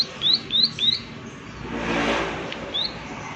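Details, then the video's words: Prinia giving its 'klik klik' call: three quick high upslurred chirps in a row, then a pause and a single matching chirp, over a soft rushing background of outdoor ambience. "Prenjak Klik Klik Gacor Suara Alam Dan Isian || Prenjak Klik Klik Pasti Nyaut"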